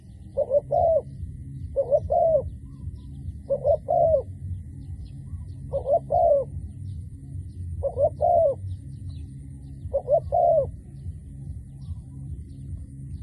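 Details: Decoy dove calling all day to lure wild doves. Evenly spaced double coos, five pairs about every two seconds, each note mellow and slightly falling, against a steady low hum.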